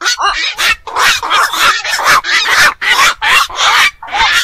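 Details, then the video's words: Black-crowned night heron, known locally as bakchu, a bird of fish ponds, ponds and wetlands: harsh, croaking squawks in a dense, overlapping run, about two or three per second, with several birds calling together. "বাকচু পাখির ডাক. নিশি বক এর ডাক."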